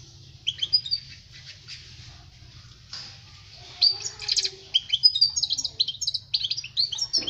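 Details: Goldfinch song, European, used to teach young birds to sing: soft scattered notes at first, then from about four seconds a continuous stream of bright twittering, buzzy trills and rapid whistled notes.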